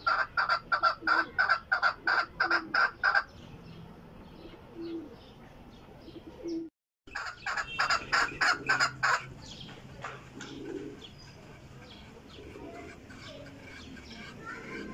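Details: Chukar giving rapid, evenly spaced clucking notes in two bursts of about three and two seconds, separated by a quieter stretch with a brief dropout, faint background noise throughout.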